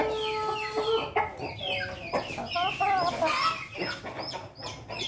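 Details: Pelung, Bangkok and Ketawa crossbreed chick with a red comb, in Jogja. Overlapping tonal crowing notes, some wavering and some held, mixed with clucks and other chickens calling nearby.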